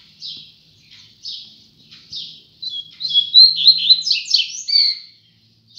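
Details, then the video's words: A double-collared seedeater (coleiro) sings at dawn: a few high, separate chipping notes about a second apart, then a fast, bright twittering run of whistled notes, over a faint low hum. "Coleiro Braddock Amanheceu Assim! Picando Canto Adoidado!!!"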